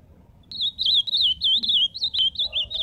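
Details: Ultramarine grosbeak delivering a fast, sweet warble of roughly a dozen looping whistled notes, clear and loud over a faint low rumble.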